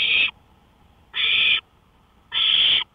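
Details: Night-time owl on a porch, 1:53 AM on May 5, 2013: three hoarse hissing screeches in quick succession, each roughly a third of a second long, evenly spaced over quiet background.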